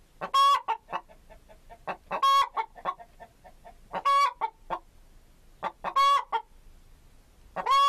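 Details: Chicken (Gallus gallus) giving loud, nasal squawks about every two seconds. Each squawk sits among softer, quick clucks, and the pattern repeats five times.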